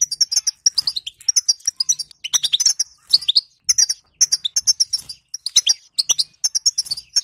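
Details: Bitbita chatter of a female European goldfinch, meant to stir a quiet male into song: quick bright twitters and short buzzy notes, tumbling in clusters of several chirps with tiny gaps between them.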